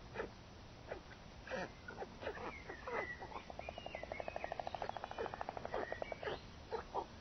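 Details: White stork (Ciconia ciconia) parent arriving at the nest with food gives bill clattering: a fast, even rattle of wooden knocks building to a sustained burst mid-way, with scattered thin chirps and background noise.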